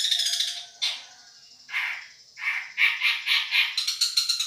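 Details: Long-tailed shrike, Madura type, in a song-tutoring recording: rough, buzzy phrases alternating with short gaps, then a run of quick, evenly repeated harsh notes about two per second toward the end.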